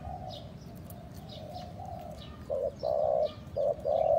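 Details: Spotted dove call meant to lure other doves. Faint, distant cooing at first, then a nearby bird gives loud, rounded hoots: two short notes, a longer coo, and another short pair near the end. Light background chirps.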